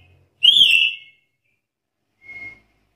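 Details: Black-capped lory challenging a rival: a single loud, ringing whistle that rises slightly then fades downward, followed after a pause by a quiet flat tone; otherwise quiet.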